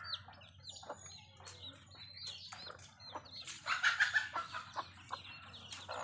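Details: Domestic mother hen with her chicks in a village, the chicks giving a dense, continuous chorus of high peeping, with occasional low clucks and steady background hum.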